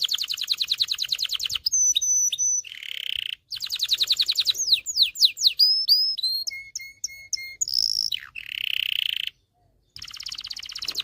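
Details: Excited canary singing to train males and prepare females for mating: fast high trills, sweeping upslurred whistles, level whistled notes and buzzy rolls in varied sequence, with two short gaps.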